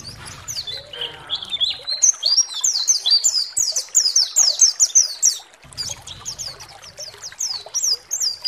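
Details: Pleci, or white-eye, song used as a provoking lure for other birds: fast, high, jumbled chirps rolling on without pause, some notes swooping down, with low background hum early and late.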